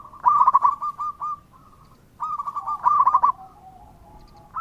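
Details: Local zebra dove in full song, meant to draw an answer from other doves: a quick rattling coo phrase, a pause, then another stuttering burst fading into long, low, even coos.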